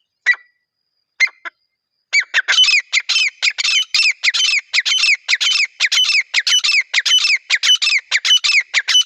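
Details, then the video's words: Calling partridge, as used to attract partridges on hunting trips: two isolated notes, then a long, fast run of loud, harsh, ringing squawks repeated almost without pause for about seven seconds. "Acha Teetar Viral Voice"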